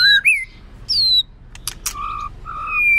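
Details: Brief White-rumped shama song passage, used to train birds, with the female said to sing to stimulate males: a few slurred whistles, sharp clicks, then steady low whistles.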